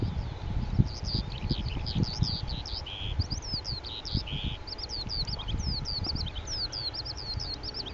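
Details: A male Oriental skylark sings from a perch at Petchaburi, Thailand, recorded by digiscoping; quick high slurred and chirped phrases run on without pause, including two short buzzy notes, over low background rumble.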